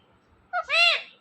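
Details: Pet ringneck parrot talking indoors, uttering a short two-part word: a brief clipped syllable, then a longer, louder, rich-toned drawn-out syllable that falls away at the end.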